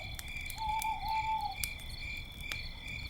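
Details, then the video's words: Owl calling at night beside a campfire: one steady, clear whistled note held about a second, slightly falling at the end, over constant high cricket trilling and sharp crackles from the fire. "campfire night sounds - with owls and crickets"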